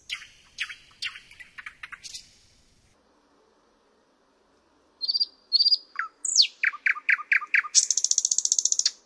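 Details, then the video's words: Loud thrush nightingale phrases: an opening set of clicking notes, silence, then rising whistles, a swift run of hard chipping notes and a rapid high metallic trill. "Luscinia luscinia"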